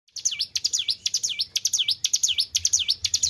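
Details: Caged white-browed shortwing (ciblek gunung) singing vigorously after careful keeping: a loud, rapid series of sharp, high whistled notes, each dropping steeply and then rising, repeated about six times a second with no other sounds.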